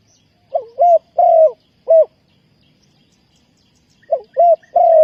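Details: Decoy spotted dove cooing for bird trapping, Ninh Thuận: two close phrases of soft, low, burry coos, each a quick note leading into a longer slurred croo, separated by a pause of about two seconds.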